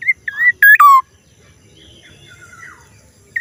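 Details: Strange-sounding black-naped oriole phrase opening with two short whistles and two loud, rasping, overtone-rich notes, the second dropping in pitch; faint distant bird notes follow, and a new whistle starts at the end.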